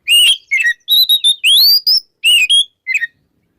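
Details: Oriental magpie-robin singing in the "ngeplong" style in the morning, used to prompt silent magpie-robins to sing: loud, clear whistled notes in short separated bursts, some rising, some falling, over about three seconds in silence.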